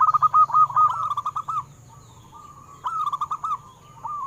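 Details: Local wild-type zebra doves sung as a lure for captive birds: a dense, overlapping rush of quick repeated coo notes, a pause of soft trailing tones, then a shorter burst of clipped notes, with background hum.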